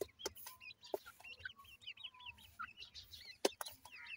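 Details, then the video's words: Grey francolin (teetar) chicks being fed: a quiet run of high, thin, wavy peeps and short chirps tumbling over one another, broken by several sharp clicks and taps, with a faint low hum underneath. "grey francolin chicks nice voice"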